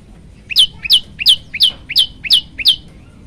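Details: Prenjak lumut, the olive-backed tailorbird, in full song as a training recording: seven evenly spaced calls, each a brief lower note followed by a bright downward-swept whistle, repeated roughly three times a second.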